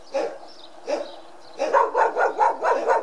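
A common pheasant gives two harsh, hoarse notes, then a quick run of five or six throaty clucks about four per second. No other sounds stand out.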